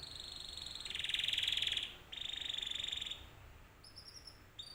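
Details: Canary song used as a lure so that other canaries answer: two long, even, buzzy rolling trills of rapid pulses, separated by a short break, then faint thin rising whistles.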